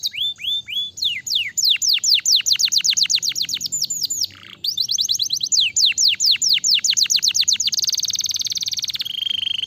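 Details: Canary song for stimulating other canaries: long volleys of rapid falling whistles, briefly interrupted, resuming just as fast, then closing with a high buzzy trill and a lower rolling note.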